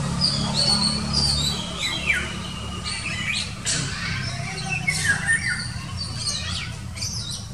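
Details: Indian golden oriole calling intensely on a March morning in 2019 beside a busy road near a park: repeated short downward-slurred whistled notes, some harsh and squawky, over a constant low rumble of traffic.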